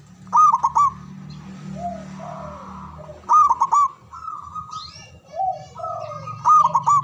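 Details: Loud, long-breathed local Javanese zebra dove singing its natural song, used as a lure to make rivals answer: three rapid rolling coo bursts with clicks, separated by softer slurred lower notes and faint murmuring background.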